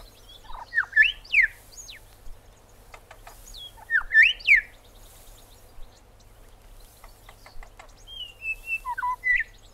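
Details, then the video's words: A Grey Shrike-thrush gives rich, varied whistled phrases of sharp upslurs and liquid notes in short bursts every couple of seconds, over a low steady hum. "Grey Thrush"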